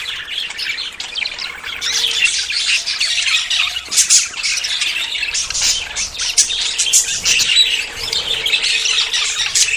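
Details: Courting budgerigars about to breed keep up a busy, scratchy warble of squawks and short chirps, several birds calling at once without pause.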